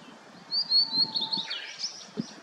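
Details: Blue-and-white flycatcher singing on a misty mountain after rain: clear high whistled phrases, then a note sliding sharply downward and a short warbled ending. A low rustling background and a single soft tap are also heard.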